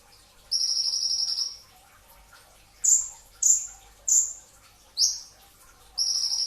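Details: Brown-throated sunbird singing a dense, fiery training song before dawn at the pre-fast meal hour. A long, high buzzy trill leads into four sharp, very high downslurred notes, then another trill begins. No other sounds intrude.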